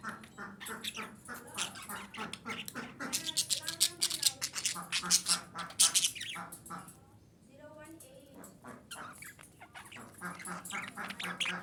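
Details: Female budgerigar chatter used to stimulate breeding: loud, dense, scratchy warbling with grating notes and nasal harmonic phrases, a short lull, then the chatter resumes.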